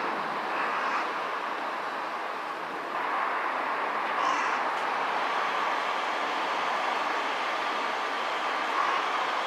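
Steady broadband rumble of a passing train or other vehicle fills the whole stretch, with no animal calls standing out.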